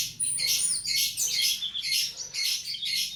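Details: Tutor song for cage-bird training: loud, very high, scratchy twittering delivered in quick bursts about twice a second, with sharp repeated chirps and short gaps between them, over near silence.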